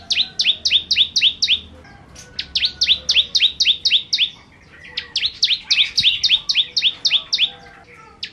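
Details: A bar-winged prinia sings 'gacor nembak' phrases: long series of piercing, downward-slurred double notes about four per second, split into several bursts by short silences.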